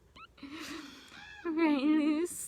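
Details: A captive common raven at a wildlife centre, chattering in the morning while waiting for breakfast, gives a drawn-out nasal croak, then a louder, wavering, throaty call about a second long, after a faint higher squeak.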